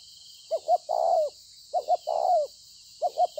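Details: Cooing spotted dove, a bổi, recorded 26 September 2020: a double hoot then a long, slightly falling coo, repeated three times in quick succession, with a steady background hiss.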